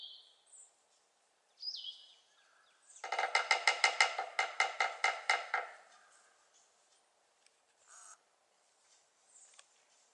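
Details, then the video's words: Possible sapsucker, recorder unsure, at home on 26 April 2014, drumming a woody roll of about a dozen taps that slows toward the end, preceded by a couple of high, downslurred notes. "Sap Sucker Woodpecker"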